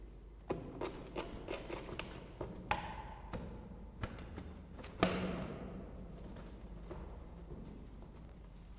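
Irregular dull thumps and sharp taps over a low steady hum, with no calls or voices heard.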